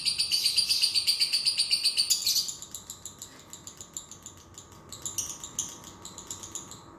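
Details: Lovebird singing, used to coax a lazy lovebird into song: a loud, shrill, rapidly pulsing trill for about two seconds, then quieter, broken high chirps and twitters.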